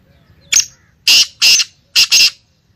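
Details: Female black francolin calling: five loud, harsh, buzzy bursts in quick succession, the last two nearly joined, each short and grating against a quiet background.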